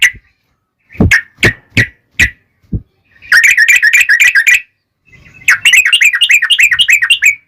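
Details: Yellow-vented bulbul played to set other bulbuls singing: a few spaced sharp chips, then two long, rapid, rolling chatters of bubbly notes.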